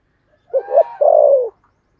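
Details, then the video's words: Spotted dove decoy bird calling in the 'thổ' voice style. It gives two quick hooting notes, then a sustained downward-sliding coo, all low and mellow, with a faint whistle behind. "Chim Cu Mồi giọng THỔ"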